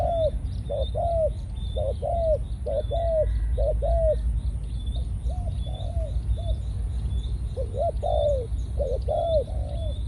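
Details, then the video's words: Decoy spotted dove of Malaysian stock, kept caged and now in breeding mode. It gives a fast run of evenly spaced, hooked coos, then a pause, then fuller rounded coos. Small birds tick and chirp faintly in the background over low rumble. "Chim cu gáy mồi"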